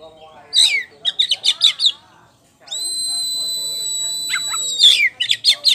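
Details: A champion caged Oriental magpie-robin of the poci type sings vigorously in ngeplong style: quick clusters of sharp whistled notes, a long pure sustained whistle, then more rapid chattering phrases.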